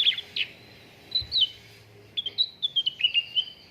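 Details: Cucak ranting song used as a lure to get caged contest birds singing: sharp high chirps and short whistled notes, a pause, then a quick run of slurred descending whistles toward the end.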